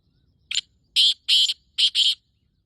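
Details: Male black francolin (kala teetar) giving its breeding call, recorded 14 May 2024 around 5:15; five harsh, grating, high-pitched notes: one short opener followed by two quick pairs, loud against a quiet background.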